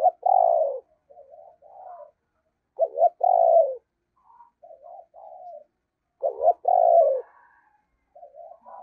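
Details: Spotted dove used as a decoy to call in wild doves, 'thổ' voice: loud, rough, drawn-out coos roughly every three seconds, each followed by softer low murmured notes.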